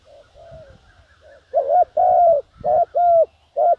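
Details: Spotted dove used to lure wild doves: faint distant coos at first, then a loud sequence of paired hollow notes, a short coo followed by a longer even one, over a low background murmur.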